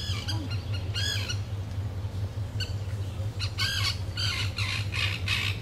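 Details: Common terns in Moscow give harsh, grating squawks in short bursts, some with a drawn-out falling slur, over a steady low rumble.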